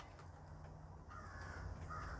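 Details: A crow gives a couple of harsh, hoarse caws in the second half, in the morning, over a steady low rumble of background noise.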